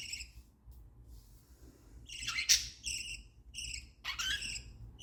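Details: Contented budgerigar sounds: a few nasal, raspy chirps, one loud squawk near the middle, then several short chirps in quick succession, over a quiet low hum.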